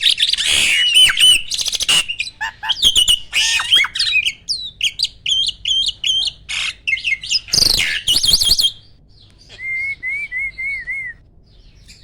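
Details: Caged jalak starling, a prize-winning contest bird, singing loudly with fast rapid-fire bursts: dense harsh chattering and buzzy notes, sharp whistled slurs and mimicked phrases, then a wavering whistled trill near the end.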